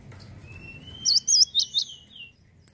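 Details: Male Cinereous tit in full song: four sharp, high, looping whistled notes about a quarter-second apart, over a faint, steady, thin whistle and low background hum.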